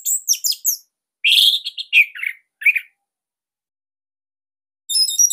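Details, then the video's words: Bali orange-headed thrush song, used as a master to coax captive birds into singing: rapid high chirps, then a buzzy rasping phrase and warbled notes, a silence, and a closing trill. "Kicauan ANIS MERAH Ini Cocok Buat Masteran Burung Sahabat Dirumah."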